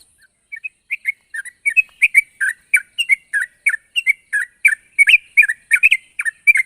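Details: Sooty-headed bulbul in lively voice, calling a rival: short bubbly chirped notes, often in quick pairs, starting sparse and growing denser and louder, with a faint high ticking chatter running above.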